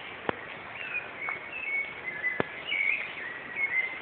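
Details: Rufous-bellied thrush singing in Osasco, São Paulo, Brazil, on 14 November 2014: a run of soft fluty whistled phrases, level and gently wavering, over steady background noise with two sharp clicks.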